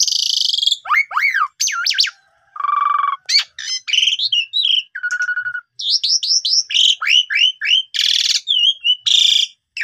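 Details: Asian pied starling, a young bird, pouring out a mixed song of falling whistles, nasal buzzy notes, a low rattling trill, and clusters of quick rising-falling chirps with hardly a pause.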